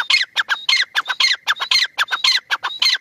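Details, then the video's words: Francolin giving a loud, harsh, rhythmic call series, each strident note mixing a high whistle with a raspy chatter, repeated steadily about twice per second with no pauses. "teetar ki awaz"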